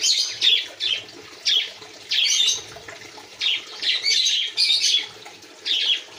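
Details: Aviary quail calling in a series of loud, high, scratchy chirp bursts, some doubled, spaced under a second apart, with soft background rustling and a faint watery hiss.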